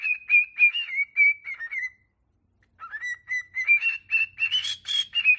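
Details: Pet cockatiel song, played to train cockatiels to sing: a warbling, fast run of whistled notes that dips, breaks off briefly, then climbs in pitch with buzzy overtones. A faint low hum sits underneath.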